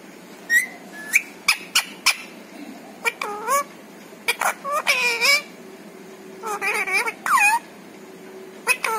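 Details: Pet parrot speaking words such as papa and mummy; sharp clicks open, then several strings of nasal, wavering, voice-like syllables with a quiet room behind.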